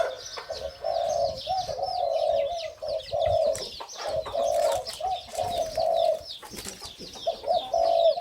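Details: Spotted Dove of the hybrid 'sai din' line crowing in its cage, with a voice like its father's: deep, drawn-out coos in rhythmic runs with brief pauses, over a busy background of high twittering from other birds.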